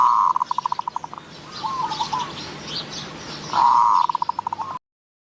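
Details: Zebra dove cooing while a decoy lures wild doves at Wapi Pathum, Maha Sarakham, Thailand. A rapid staccato roll of evenly spaced notes at steady pitch, then a softer broken phrase, then another strong rolling burst. Faint higher chatter behind.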